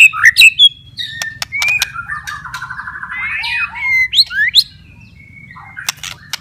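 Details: White-rumped shama, a kept bird, singing a mix of sharp clicks, whistled slides and a short burry rattle, the phrases fading into quieter notes toward the end over a low hum.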